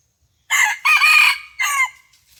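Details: Red junglefowl used in a decoy fighting contest, crowing on the morning of 27 January 2021; a loud crow in three segments, the middle one longest, ending on a short falling note.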